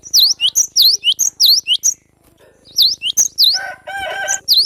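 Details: Cinereous tit, a young forest bird, delivering fast high dipping chip notes in the 'besetan' style, a brief pause, then more notes overlapping a lower, harsh, harmonic rasping call.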